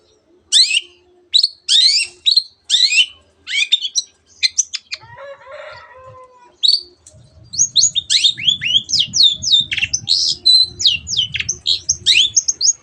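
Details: Long-tailed shrike delivering dense mimicry of canary and many other birds: rapid bursts of high buzzy notes, a brief rougher warble, then a long rush of quick falling chirps over a low rustling background.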